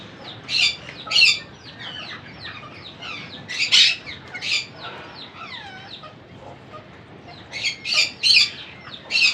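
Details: Monk parakeet babies during feeding: scattered loud, rasping squawks in clusters separated by quieter stretches with soft, curving whistled chirps.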